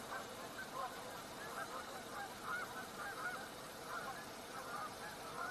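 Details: Canada geese staying on the river in early March, heard from a distance; soft, irregular honks repeated roughly every second over a steady background hiss.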